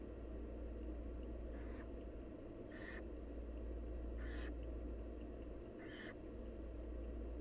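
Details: Wild barn owl young at the nest while their mother feeds them. Four rough, wheezy hisses come roughly every second and a half, with faint ticking and a continuous low rumble.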